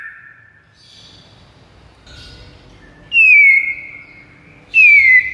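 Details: White-rumped shama song for luring rivals: soft scattered notes, then two loud clear whistles, each sliding down and holding steady, about a second and a half apart, over a low background hiss.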